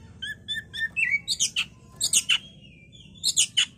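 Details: Oriental magpie-robin (kacer) song used as a bait recording to make the bird agitated and sing readily: three paired whistled notes, a slurred whistle, then loud scratchy bursts in quick groups.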